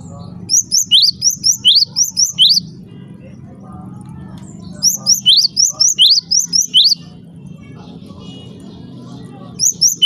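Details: ['Java sparrow sound used to provoke other Java sparrows into calling: bursts of bright, upward-sweeping chirps in rapid runs separated by pauses of a few seconds, over a low background hum.']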